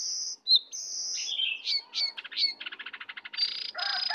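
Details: Sooty-headed bulbul, wild bird against caged bird in a heated song duel with full 'isian' fill; long high whistled tones, a descending slur, then rapid pulsed trills and a harsh burst.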